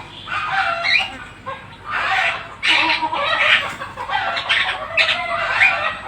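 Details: Black-winged starling singing vigorously: loud harsh chattering bursts with squawky, rasping notes and brief whistled slurs, in short phrases separated by pauses of about a second.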